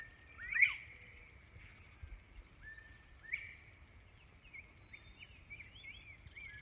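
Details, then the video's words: Northern Bobwhite calling on a farm in north-central Missouri: two bright, upslurred whistles about three seconds apart, over soft rural background noise and faint chirps from other birds. "Whistling quail"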